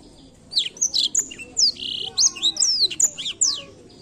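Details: Stimulating song of a Blackthroat: lively, high-pitched twittering of quick rising and falling notes and short buzzy phrases, delivered almost without pause, over light background hum.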